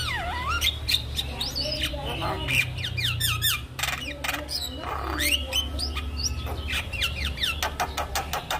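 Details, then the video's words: Javan myna song used to lure other mynas into singing: a busy jumble of harsh squawks, clicks, broadband rasps and swooping whistled notes mixed with metallic slurred phrases, over a steady low hum. "Kicauan Jalak Kebo Untuk Memancing Burung Jalak Macet Bunyi"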